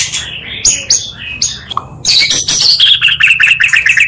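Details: Oriental magpie-robin song, two birds mixed to spur other magpie-robins; soft spaced high chips at first, then a dense loud stream of shrill twittering and quick repeated whistles.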